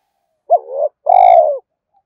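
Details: Spotted dove calling to lure wild doves: one low two-part coo, a short wavering note that rises and drops, then a drawn-out smooth coo tapering downward; otherwise silent.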